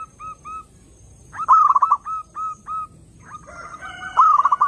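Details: Zebra dove singing, used as a lure for other doves: two soft coos, then a loud rapid rolling trill, more evenly spaced coos, and a final loud trill overlapped by a second, lower cooing voice.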